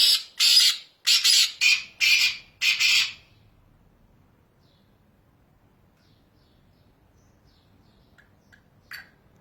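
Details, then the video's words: Wild black francolin recorded in Pakistan, giving a rapid series of about six harsh, grating, rasping notes over three seconds, then quiet apart from a faint distant call near the end. "Voice of Teetar Bird - Black Francolin Teetar Ki Awaz"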